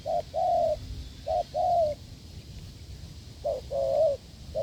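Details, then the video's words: Strong cooing from a wild spotted dove met during a decoy test in the fields: paired short and longer mellow coos, two phrases separated by a pause, low background rumble. "đụng bổi đồng gù cứng,gù lợi cốt quá phê"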